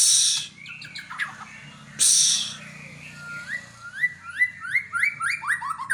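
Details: White-rumped shama from Aceh: after harsh hissing bursts, a series of rising whistled notes repeated in quick succession, climbing and quickening toward the end.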